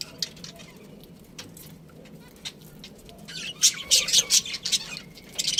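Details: Pet budgie, quiet at first with faint ticks, then breaking into a fast series of sharp, bright chirps over the last two seconds.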